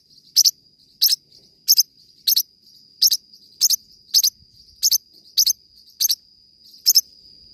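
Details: Forpus parrotlet chirping in a regular string of paired high, clipped notes roughly every two-thirds of a second, backed by an unbroken thin high-pitched tone.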